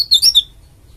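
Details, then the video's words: Bali oriental white-eye, a female, played to coax other white-eyes into singing; a short run of three quick, high, sliding chirps within half a second. "BURUNG PLECI DAKUN BALI GACOR UNTUK PANCINGAN PLECI AGAR CEPAT BUKA PARUH"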